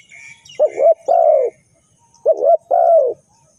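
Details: Spotted dove calling as a trapping lure: two phrases of a doubled rising coo followed by a long, falling croo. Faint higher chirps from other birds are heard at the start.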